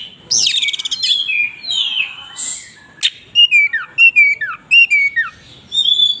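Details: White-rumped shama singing in a varied, lively song: sweeping whistled notes that slide downward, then a run of short bright phrases repeated roughly every half second, with a brief buzzy burst near the start.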